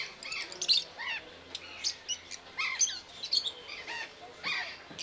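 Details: Rosy-faced lovebirds at Belgrade zoo, Serbia, in October 2022 give shrill, squeaky chirps in quick irregular bursts, several birds overlapping, with high tinny notes throughout.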